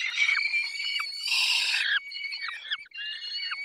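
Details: Peregrine falcon feeding, Barycz Valley, 20 May 2021, mid-morning: a continuous harsh screaming wail with a loud noisy peak, then drooping nasal squeals over a faint high whistle.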